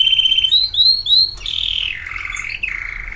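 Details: Pet canary singing: bright, high rolling trills and repeated rising whistled notes, followed by longer steady ringing tones that drop in pitch.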